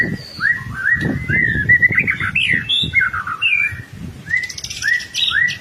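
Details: Gacor white-rumped shama song for training young birds: repeated clear upslurred whistles and fluting phrases, some higher notes, over low background rumble.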